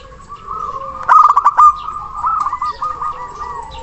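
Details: Local zebra dove, big voice and long breath, calling a rival: one strong burst of rapid rolling coos, then softer trilled phrases, with a background chorus of similar birds.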